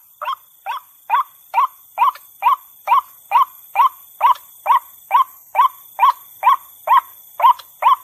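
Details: Female white-breasted waterhen call used as a lure to draw stubborn birds out of cover; harsh, croaking notes repeated steadily about twice per second, each note a short rising burst, in otherwise clean sound.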